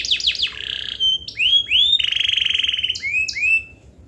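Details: Canary singing 'gacor' to goad lazy canaries into song: rapid falling notes, then rising whistled slurs and a steady fast trill, closing with paired upward chirps.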